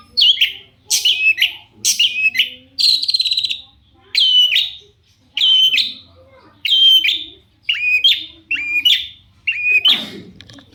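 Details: Long-tailed Shrike in lively song, played to draw replies from other shrikes: loud, high, ringing notes repeated roughly once a second, including one longer buzzy note, ending with a harsh noisy burst.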